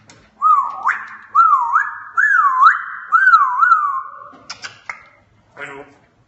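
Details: African grey parrot doing sound effects: a wavering, warbled whistle that swoops up and down in four looping phrases, followed by sharp clicks and a short buzzy note, in a small room.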